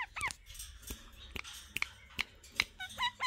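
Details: A pet talking Alexandrine parakeet, sitting with other parrots, gives a rapid run of short, harsh chirps and speech-like squawks, about two or three a second, in a small quiet room.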